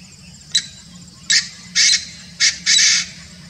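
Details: Painted francolin (Francolinus pictus) in Kanha National Park, Madhya Pradesh, India, gives five harsh, grating call notes, starting with a short click and growing longer, over a low steady background hum.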